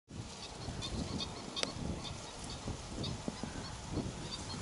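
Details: Black-winged stilt chicks at Arucas, Gran Canaria, recorded 28 June 2018: short, high, thin notes scattered through the recording, with a louder nasal note near the middle, all over a steady low rumble of wind or handling noise.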